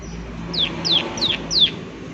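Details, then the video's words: Four bright, sharp downward-sweeping chirps from a prinia in its 'klik klik' style, spaced about a third of a second apart, high-pitched, with light background noise. "Prenjak Klik Klik Gacor Suara Alam Dan Isian || Prenjak Klik Klik Pasti Nyaut"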